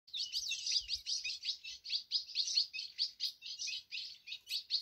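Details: A caged ultramarine grosbeak (azulão) sings while gripping the side of its cage, recorded at a Z40 championship on 21 March 2021. It gives a fast, continuous warble of bright, slurred notes, about two per second, with a few soft thumps at the start.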